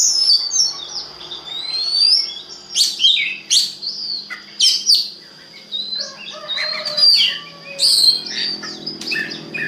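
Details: Magpie-robin song played as a lure to get other magpie-robins singing: clear rising and falling whistles mixed with sharp clicks and brief buzzy notes, in well-spaced phrases over a steady high whine and a faint low hum.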